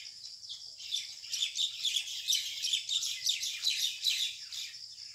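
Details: Rural common mynas fighting to take over a date palm nest hole, 6 May 2021, 6 pm: loud, grating squabble of rapid rasping chirps, rising and falling in intense bursts, several birds calling at once.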